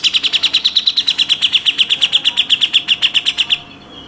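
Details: Fast, dense 'tembakan' volley from a grey-cheeked bulbul (cucak jenggot), used as a tutor recording: around thirty crisp, high chipping notes in quick regular succession for three and a half seconds, then stopping abruptly.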